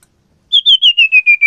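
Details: Captive common iora from a male-female breeding pair: a rapid run of seven loud whistled notes, evenly spaced, each slightly lower than the last, ending in a downward slur.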